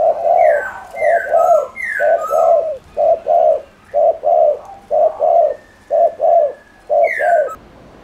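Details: Cooing spotted dove meant to excite other doves: steady low paired coos, short then drawn out, repeated rhythmically, while another bird adds thin, higher descending whistled notes several times.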